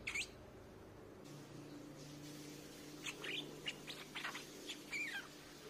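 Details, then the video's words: Decoy recording of a Streak-eared bulbul: an opening slurred whistle, then a loose run of short, bright chirps and a final falling whistled note, with steady low background hum. "เสียงนกปรอดสวน เสียงต่อปรอดสวน"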